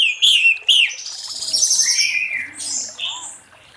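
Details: Orange-headed thrush in full late-afternoon song meant to lure other thrushes into singing: two loud swooping whistled notes followed by buzzy, scratchy trilled phrases that fade into softer high twitters.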